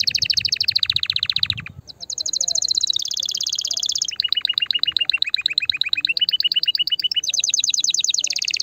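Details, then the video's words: Canary song chosen to stimulate females and encourage breeding: a varied sequence of fast trilled tours, each a few seconds long, alternating between high buzzy rolls and lower, evenly repeated notes. "Chant de CANARI pour STIMULER la FEMELLE"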